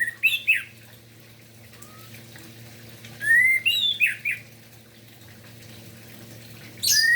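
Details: Orange-headed thrush singing in the morning to excite and stimulate other thrushes: scattered short slurred whistles and twittering notes, long gaps, occasional clicks in the background.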